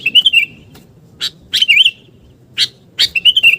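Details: Vigorous sooty-headed bulbul lure sound: a quick bubbling warble, a few loud chips, a second rolling warble, then chips and a final burst of bubbly notes.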